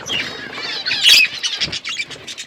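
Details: Flock of budgerigars in an outdoor aviary, warbling chatter building to a loud scratchy squawk, then a run of quick clipped chirps.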